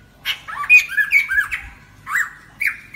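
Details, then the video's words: Lesser necklaced laughingthrush song played as a lure for trapping birds: loud whistled notes, some sliding and some harsh, in a broken phrase with short gaps and a faint low hum beneath. "Khướu cổ khoang hót để bẫy"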